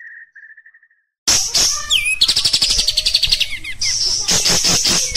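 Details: Kapas tembak, the Oriental white-eye, delivering harsh gacor song as a kept bird. A few soft evenly spaced chirps come first, then loud continuous high twittering with rapid trills and swooping notes.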